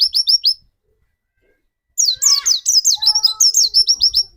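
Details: White-eye song used as a lure to make another white-eye sing: a brief run of quick high chirps, over a second of silence, then a long rapid string of sharp slurred notes with lower drawn-out tones beneath.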